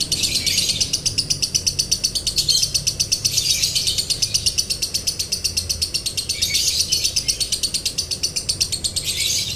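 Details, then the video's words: Lovebird singing a long, dry-toned 'konslet' as a training and provoking recording: an unbroken, harsh, high chatter of fast regular pulses that swells and eases in loudness over nearly ten seconds. "MASTERAN LOVEBIRD KONSLET NADA KERING | PANCINGAN SUARA LOVEBIRD KONSLET"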